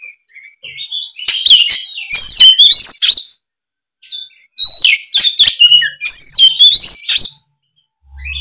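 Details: Oriental magpie-robin singing in fighting mode: two long, loud bursts of varied high whistles, rising slurs and crackling rapid notes, with quieter whistled notes before and a silent gap between bursts.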